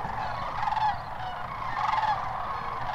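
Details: Many sandhill cranes calling at once, Hiwassee Wildlife Refuge, Birchwood, Tennessee, January 16, 2013: a steady wash of overlapping rolling, trumpet-like calls with a few clearer notes standing out.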